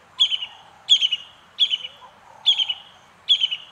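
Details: Brown-hooded kingfisher giving a repeated call: a high sharp note running into a quick descending stutter, phrases about every 0.7 seconds, five in a row, against a quiet background.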